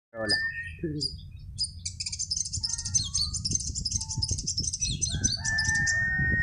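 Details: Caged sunbirds in a singing contest at four in the afternoon, when the birds are settling to sleep and reluctant to sing: a dense, rapid run of high twittering and warbled notes over a steady long whistle, with a low rumbling background throughout.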